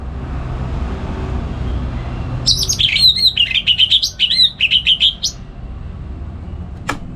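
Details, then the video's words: Orange-headed thrush kept at home in north Bali, Singaraja, morning ngeplong song used as a lure and master for songbirds; after quiet, nearly three seconds of rapid, lively twittering and whistled notes, ending with a sharp click. "Pagi Hari Hari ANIS MERAH Ngeplong Gacor Untuk Pancingan & Masteran Burung Dirumah"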